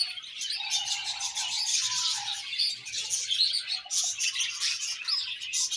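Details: Contented budgerigar colony chattering densely, bright buzzy twitters from many birds, with a lower drawn-out whistled note heard briefly near the start.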